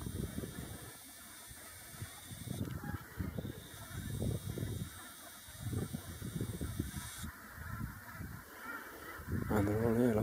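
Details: Large flock of Brent geese on the ground with more flying in, birds that migrate from Siberia and Russia; low murmuring honks and gabbling in repeated bursts, with a man talking, wind rumble and a steady high hiss.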